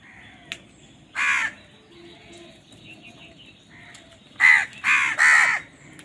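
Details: Angry crows competing for food: one harsh caw early on, then a burst of three loud grating caws in quick succession, over soft background noise.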